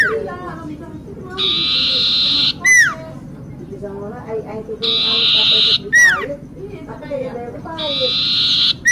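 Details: Common iora singing vigorously, used as a lure recording: long, steady, buzzy high notes of about a second, each ending in a sharp falling whistle. The phrase comes three times, with faint lower warbling notes between phrases.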